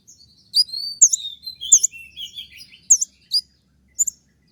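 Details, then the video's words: Konin 'tembakan' song, a training master to stir up caged konin: flowing high whistles and falling slides, punctuated by loud hooked notes that thin out toward the end. "dengan suara tembakan seperti ini pasti bikin kelas kicau koninmu melecit tinggi"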